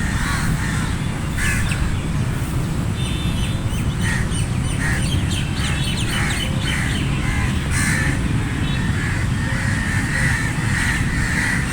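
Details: A flock of crows with scattered rasping caws mixed among other bird chirps and faint calls, over steady low droning background noise.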